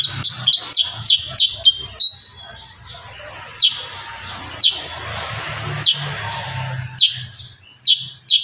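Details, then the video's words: Kurincang singing actively in a rapid-fire 'tembakan rapat' style: a burst of short, sharp, high chirps repeated closely, then a pause and further spaced single chirps, over a faint low hum. "Masteran burung kurincang tembakan rapat"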